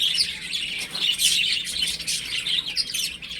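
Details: Home-kept baby chickens at play, producing a constant jumble of high, thin chirps from several chicks, with a louder cluster of peeps in the middle.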